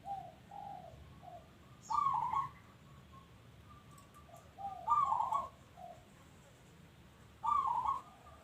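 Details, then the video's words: Local zebra dove singing steadily: loud trilled, rolling coo bursts about every three seconds, each followed by a few softer, lower, hollow coo notes, over a quiet steady background hiss. "Bunyi Perkutut Lokal"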